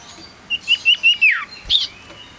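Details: Tame male Common Iora, known locally as sirtu or cipoh, sings a quick run of four short high whistles followed by a longer falling slur, then one more bright note, over a quiet hissy background.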